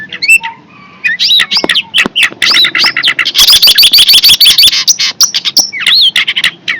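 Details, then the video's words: Fierce long-tailed shrike pouring out a varied jumble of harsh squawky notes, slurred whistles and a sustained rapid chatter in the middle, loud and continuous. "Burung cendet galak"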